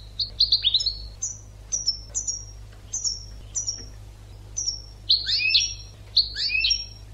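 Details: European goldfinch song from an educational recording for bird training: scattered thin whistled notes, then dense tinkling, buzzy twitters toward the end, with a faint low background hum.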